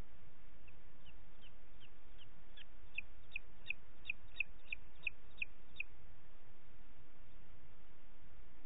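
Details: Booted eagle in Parc Natural dels Ports, 29 June 2021 at 20:30: a run of about fourteen short, thin, high notes, roughly three per second, rising in strength midway, over a steady low background hiss.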